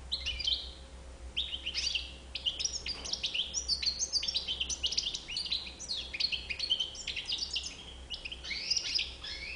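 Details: A European goldfinch delivers a long, lively warble of jingling chirps, nasal buzzes and quick trills in bursts separated by brief gaps; a soft constant hum runs in the background.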